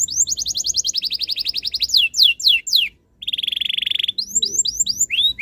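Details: Canary song meant to make other canaries sing along: rapid repeated whistled notes, a few falling sweeps, a short gap, then a fast even trill and rising chirps.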